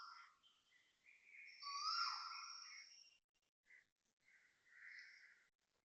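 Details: Asian koel calling loudly at 6.43 am on 20 December 2025 beside a housing block in Toa Payoh, Singapore; a strong rising, hoarse call peaks around two seconds, followed by shorter, quieter notes and brief gaps.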